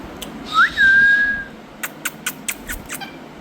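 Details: Parrot in India giving one clear whistle that rises sharply and then holds a steady level for about a second. It is followed by a series of short, faint clicks.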